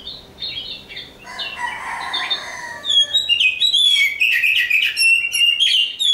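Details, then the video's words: An oriental magpie-robin (Kacer Hitam), a hopeful contest bird, sings a rich, varied run of sweet whistles, trills and chattering notes, quickening and growing louder in the second half. "Nyanyian si "Kacer Hitam"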